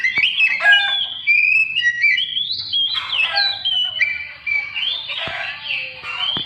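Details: Oriental magpie-robin song used to provoke other birds into singing: a run of loud, varied whistled phrases, rising and falling slurs mixed with short chirps and sharp clicks.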